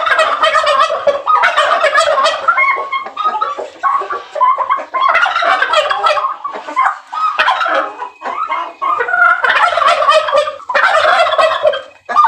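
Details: Male turkey fanning its tail and calling females during the breeding season: repeated loud gobbling bursts, each a rattling, gurgling run of notes lasting one to two seconds, with short gaps between.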